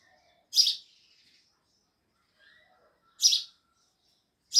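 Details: Loud sparrow chirps: three sharp, high chirps spaced about two and a half seconds apart, with faint soft twitters between them.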